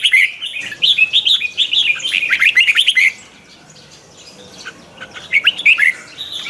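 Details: Red-whiskered bulbul singing as a decoy for song training, twisting voice: three seconds of fast, rolling chattering whistles, then a near-silent pause, then a short closing phrase of rising notes.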